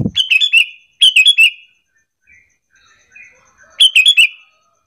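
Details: Sooty-headed bulbul used as a lure, calling so other bulbuls answer in loud back-and-forth song: three bursts of four to five rapid, clear, bubbling notes, each about half a second long and roughly a second and a half apart, with soft distant chirps between.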